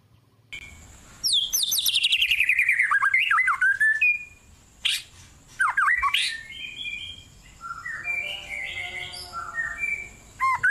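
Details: A White-rumped shama in a cool forest sings rich, varied phrases: fast descending trills, clear whistles and rasping notes in quick succession, over a steady high insect whine.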